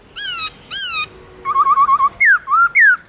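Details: Forest-voice long slurred singing from a black-throated laughingthrush (Garrulax chinensis): two harsh, buzzy notes, then a rapid trill of short whistles, then loud whistled phrases slurring down and up.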